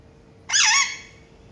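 An Alexandrine parakeet gives one harsh, rasping squawk lasting about half a second that rises and then dips slightly, in a quiet room.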